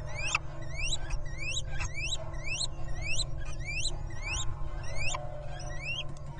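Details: A wild little owl pair reuniting at their nest in the 2023 breeding season give quick, squeaky, upward-swept mewing calls, about three a second and partly overlapping, over a steady low rumble.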